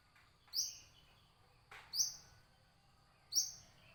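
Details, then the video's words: Brown-throated sunbird song: three sharp, very high chirping notes, each a quick bright downward flick, spaced roughly every one and a half seconds over a faint steady background hiss. "kolibri kelapa"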